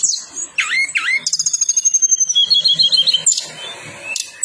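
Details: Striated prinia song played as a lure to make silent birds respond: two swooping whistled notes, then a fast, even trill of high notes repeated several times a second, ending in scattered chirps.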